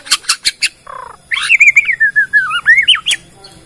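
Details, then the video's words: Bornean white-rumped shama lure song to make other shamas sing: a few sharp clicks and a buzzy note, then a long wavering whistled phrase that dips and rises. "PANCINGAN MURAI BORNEO BONGKAR ISIAN,, MEMANCING MURAI LAIN JADI BUNYI"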